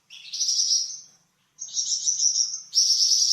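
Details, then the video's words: Flamboyan bird song, varied and used as a master for cucak ijo and magpie robin: a rising high warble, a short silence, then a wavering trill running into a loud buzzy trill. "Suara variasi burung flamboyan untuk masteran cucak ijo dan murai batu"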